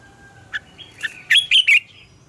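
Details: Red-whiskered bulbul, wild-sounding double-note morning song for training birds: a few soft introductory chips, then three loud, ringing, slightly slurred notes in quick succession, over faint low background noise.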